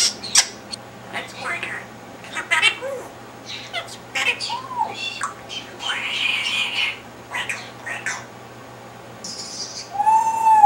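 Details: Pet parrot indoors on its perch, saying silly things: a run of harsh squawks and speech-like babbling with varied chattering syllables, ending in a loud whistled squawk, over a low room hum.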